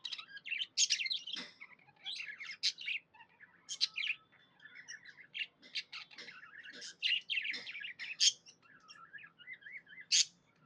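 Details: Happy pet budgie chirping at length, a long rambling warble mixing harsh squawky bursts, thin whistles and rapid chatter, with rising and falling loudness and no other noticeable sounds.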